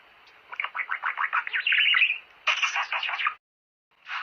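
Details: Budgerigar warbling, a song offered to stimulate birds to mate: fast chattering run of rough, buzzy notes and squeaks, swelling into a louder burst of dense chatter, a brief pause, then chatter resuming.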